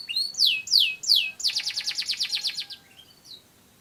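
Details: Singing canary, kept in Indonesia and descended from wild Canary Islands birds: three loud descending swept whistles, then a rapid buzzy trill of about a dozen pulses fading into a final soft note.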